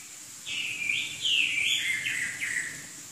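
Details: Chinese hwamei from southern China delivering a loud, bright burst of slurred whistles, notes leaping up and gliding down over about two seconds, preceded and followed by quiet background hum.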